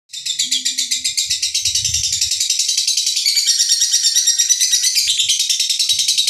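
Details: Lovebird giving a rough ngekek that is slow to stop, like a diesel engine: a long, harsh, high-pitched trill of rapid pulses that starts strongly, then runs on as a denser, steady rattle.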